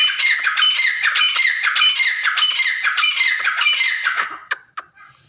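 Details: Grey francolin calling: a loud, harsh, rapidly repeated chattering series of high squawking notes, about a hundred per minute, ending in a few separate sharp notes.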